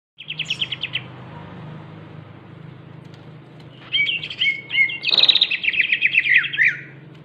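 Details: Greater green leafbird (Chloropsis sonnerati) song: a quick, high chattering burst, then a lively run of varied whistles and rapid chatter, over a low steady hum.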